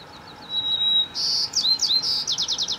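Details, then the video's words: Chickadee morning song: a thin, high sustained note, then a few buzzy slurred notes, ending in five quick, evenly spaced buzzy notes; nothing else stands out. "Chickadee morning song"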